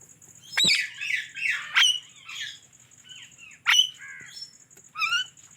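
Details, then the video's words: Indian ringneck parrot making varied chirps and squawks: sharp high clicks, warbling rising and falling notes, and a final quick rising trill, with a faint steady high whine throughout. "Indian Ringneck Parrot Chirping Sounds"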